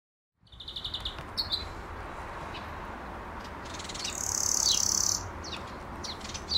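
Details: European greenfinch recorded on a Nikon Z6II camera: quick twittering trills repeated at a high pitch, then one long wheezy buzz lasting about a second, with more short trills after it over low background rumble.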